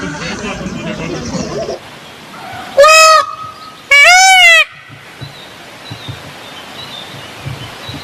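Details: A peafowl gives two loud, piercing, harmonic wailing calls about a second apart, each short and arched. Background rustle comes before them, and faint thin bird chirps follow.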